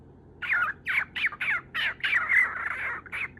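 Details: Lutino cockatiel at home wanting to be fussed over; a quick string of hoarse, slurred squawks, about seven notes in three seconds, ending in a longer rasping cry.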